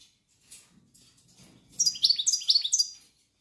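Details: European goldfinch singing: after faint soft notes, a short bright burst of high tinkling, twittering phrases repeated three times in quick succession, then silence.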